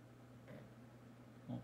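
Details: A rescued pigeon, probably female, with injured legs, kept indoors and recovering on day four, gives a weak evening coo as a sign of recovery: a softer murmur, then one short, low, throaty coo over electrical hum.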